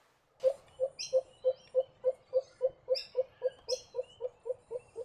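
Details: Pheasant coucal calling a steady series of short, hollow, low-pitched hoots, roughly three to four per second and evenly spaced, with faint brief higher chirps from other birds above.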